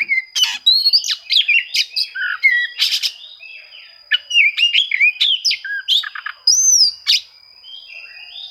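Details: Oriental magpie-robin song used to seek rivals and provoke quiet birds into singing: a rapid, varied run of whistled, rising and falling notes mixed with sharp chirps and buzzy phrases, with a steady thin high tone running throughout.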